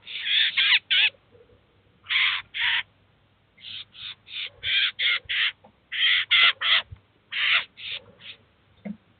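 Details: At a cheese feeder in the city of Kaluga, a Eurasian jay feeds and teaches its chicks; loud, hoarse screeching calls come in uneven clusters of two to five, separated by short pauses.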